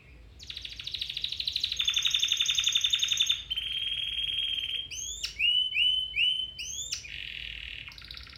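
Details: Domestic canary singing as a training song for other canaries: a sustained bright rattling trill, a steady pure whistle, then quick upward-flicking notes repeated in a short series and a fading buzzy roll.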